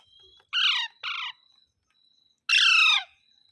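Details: Green parrot saying mitthu mitthu: two quick rough syllables, a brief pause, then one longer harsh, harmonic squawk sliding downward, over a thin steady background whine.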